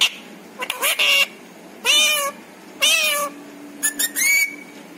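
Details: A pet parrot mimics human speech, a repertoire that includes mummy, papa and roti requests; four drawn-out, nasal, word-like utterances about a second apart, plus a faint steady hum in the room.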